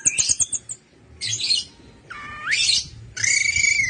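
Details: Orange-headed thrush lure song: a quick series of very high clipped notes, then harsh buzzy bursts and a rising scratchy whistle, separated by short pauses.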